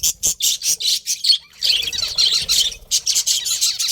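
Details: Pet budgerigars, described as a breeding pair, give rapid squawky chirps high in pitch, about two or three per second, with a brief pause midway before a denser run of overlapping chatter.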